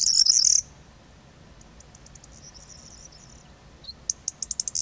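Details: Corn bunting perched and singing in autumn, its monotonous repetitive song: a high jangling rattle, then quiet ticking notes, and a new accelerating series of sharp ticks at the end, over low rumbling background.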